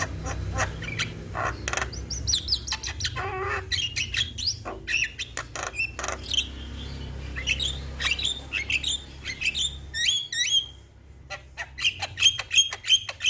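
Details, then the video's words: Young Javan myna (jalak kebo) in a training recording meant to get birds singing nonstop: dense chattering song of harsh rasps, clicks and sharp rising whistles, bursts following each other rapidly, with a steady low hum beneath. "MAsteran Burung Jalak Muda Bikin Rajin Bunyi Tanpa Henti - Jalak Kebo Gacor Juara"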